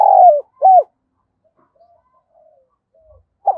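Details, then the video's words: Spotted dove calling: the end of a cooing phrase with a long falling coo and a short arched note, then near silence before the next phrase begins. "tieng cu gay kich boi nhanh noi, cu gáy gọi"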